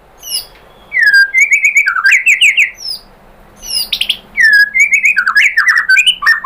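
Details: White-rumped shama lure song meant to draw a reply: a short opening, then two long bursts of loud, rapid, varied whistles and warbles with buzzy high accents, separated by a brief pause.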